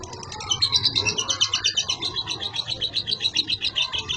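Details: Young captive lovebird in long continuous chattering song, described as naturally nonstop and undrugged: high, buzzy rapid notes pulsing about five times a second, with background noise.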